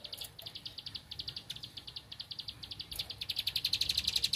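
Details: Bar-winged prinia singing while seeking a rival: fairly soft, quick, high clicks that build into a louder, faster run toward the end.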